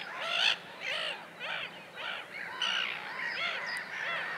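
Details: Common tern in Russia calling repeatedly, roughly twice a second: harsh, arched, rasping notes in an uneven series, clear against quiet background.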